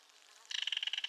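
A belted kingfisher gives a loud, dry, harsh rattle of rapid clicking notes, about a dozen and a half per second, after a brief quiet start.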